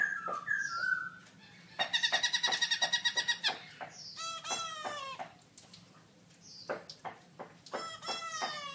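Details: Caged black-throated laughingthrush singing very loud at a birdsong contest in October 2016: a descending whistle, then a fast series of rich, harmonic, ringing notes, followed by loud repeated phrases with gliding overtones and short pauses between bursts.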